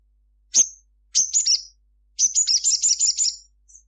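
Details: Sunbird (sogon) in full gacor song at midday, rendered "cruit cruit": a single sharp high chirp, then a short burst of notes, then a long rapid string of high, thin, rattling chirps.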